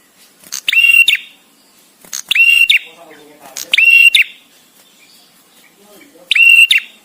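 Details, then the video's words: Visiting male bar-winged prinia giving pause-spaced song used for master training: four loud buzzy, level whistled notes ending in an upward hook, with a longer gap before the last and faint soft chatter between them. "suara prenjak tamu JANTAN!!! dengan jeda cocok untuk masteran"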